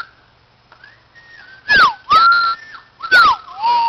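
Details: White-crowned shama song at a playground: soft whistled notes build into three loud phrases, each a clear falling slurred whistle with snappy clicking overtones, separated by short pauses.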